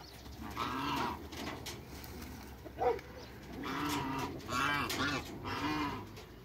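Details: Toulouse geese in a backyard, two males and a female just out of a crate, trading loud, nasal, arching honks, one early then a rapid series of three to four in the second half, with a sudden sharp knock midway.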